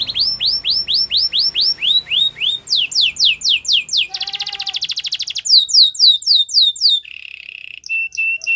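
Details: Belgian canary singing, played to coach a silent canary into song: series of rising whistled notes repeated rapidly, a fast buzzy trill, then sharp downslurred notes and steady high trills, bright and varied.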